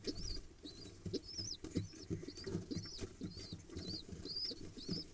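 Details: Excited begging from two pigeon nestlings being fed, 15 October 2021, second clutch: rapid high-pitched cheeping squeaks, slightly slurred, mixed with low thumps and rustling of the feeding birds.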